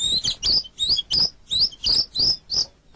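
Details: White-rumped shama (murai batu) kept as a pet, on a masteran tutor recording: a run of about eight sharp, high, squeaky chirps delivered in a steady rhythm, nearly three per second.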